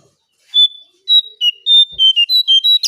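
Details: Brown shrike, used as a lure for birds: a run of clear, pure whistled notes, each short and steady, alternating slightly higher and lower, about eight notes in quick succession after a brief pause.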